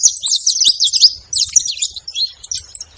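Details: Saffron finch calling out with rapid, high, scratchy chirps in quick bursts, pausing briefly between short twittering phrases, with a little low background rumble.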